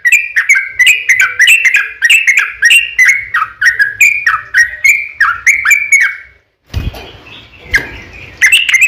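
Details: Yellow-vented bulbul pouring out a long rapid run of repeated whistled notes to draw replies from other birds; after six seconds a silent gap and a burst of rough noise, then the song resumes.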